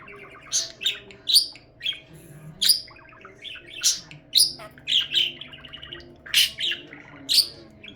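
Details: A blue budgerigar chatters in bright, buzzy chirps and warbles, bursting out about twice a second.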